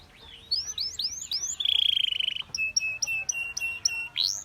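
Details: Belgian canary song among several singing canaries: a string of rising swoops, a dense buzzing trill held for about a second, then clipped repeated notes and a final upward sweep.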